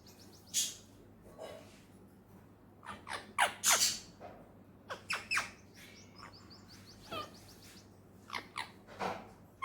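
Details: Pet talking Indian ringneck parakeet: scattered sharp squawks and speech-like chattering bursts with pauses between them, over a low steady hum.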